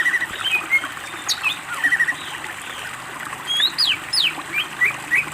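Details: Varied song of a greater green leafbird, recorded as training material for other birds. It mixes scattered chirps and high sharp upswept and downswept whistles in bursts, with gentle trickling water behind.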